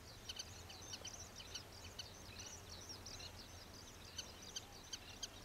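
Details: Oriental pratincoles at Xinyuan, Taiwan; a dense stream of sharp, high chattering calls from several birds, overlapping almost continuously, with low rumbling background noise.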